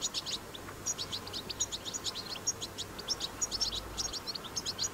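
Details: Batbata song of a wild European goldfinch: fast, bright chirping phrases of sharp high notes, some clipped and metallic, pouring out almost without pause over a soft hum.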